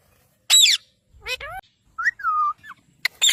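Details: Pet parrot in a compilation of talking parrots, giving a harsh burst, then a few bent tonal notes: a rising-and-falling whistle and a drawn-out level note, ending in another harsh squawk.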